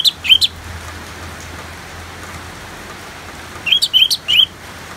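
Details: Orange-headed thrush song set against steady natural rain, played as therapy to settle the bird; two short bursts of rich warbled whistled phrases, one at the start and another near the end, separated by rain hiss.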